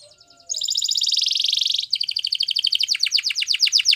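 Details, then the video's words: Canary song starting with soft notes, then a loud rapid rolling trill that shifts into a slightly slower run of repeated high pulsed notes. "Canary Yellow Singing"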